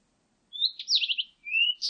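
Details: Blue-and-white Flycatcher in a 2020 recording: a rising whistle, a sharp note, then rapid rolling warbled notes, a lower drawn-out whistle and a closing buzzy high burst, all against quiet.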